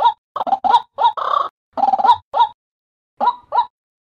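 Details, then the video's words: White-breasted waterhen call used as a daytime lure for trapping: harsh, grating croaked notes near mid pitch, each a quick burst of rough pulses, given in bunched groups with a drawn-out buzzy note and short pauses between. "Suara pikat ruak ruak siang mp3 jitu | waterhen sound"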